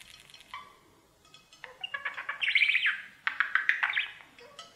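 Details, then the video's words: Budgerigar singing to its mirror at home; soft start, then rapid clicking chatter swelling into bright, squeaky warbled phrases with quick repeated ticks. "Budgie sounds | Cookie and his Mirror singing"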